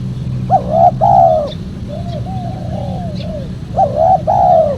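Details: Spotted dove call used to attract wild doves: two phrases of paired loud mellow coos, the second long and downslurred, separated by quieter falling notes, with faint clicks and a low hum.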